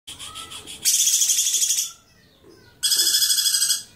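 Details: Lovebird giving its ngekek, a long chatter: two dense, high, rapidly pulsed bursts, the first about one second long and the second near a second, separated by a quiet gap, with a faint lower whistle before the first burst.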